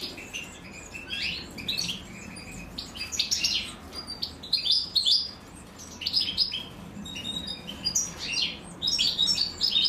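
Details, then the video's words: European goldfinch chicks being fed by their mother; busy, high, scratchy chirping in repeated bursts, with brief pauses between clusters. "أنثى الحسون وهي تطعم فراخها"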